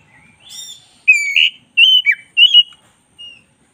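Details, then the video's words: Black-breasted white-rumped shama singing: a faint opening note, then three loud clear whistled phrases with slurred and buzzy edges, ending with a soft short whistle. "10 menit masteran kacer dada hitam GACOR"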